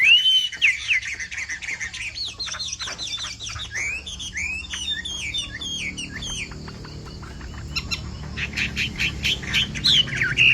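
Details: Chinese hwamei, a Hoạ Mi Bộ Tam Hoàng bird, opens with a long clear whistle, then runs into a rapid chatter of short twisting notes, fades to quiet clicks and returns with loud whistled phrases.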